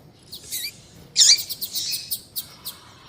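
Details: Female double-collared seedeater calling, used to excite and provoke males: thin high chirps and short downslurred notes, with one loud burst near the middle and scattered sharp ticks after.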